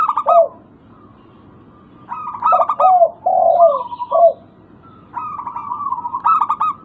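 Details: Local zebra dove cooing used as a lure to set birds calling: staccato trilled coos alternating with lower, falling notes, in bursts separated by brief pauses, with a faint low background hum.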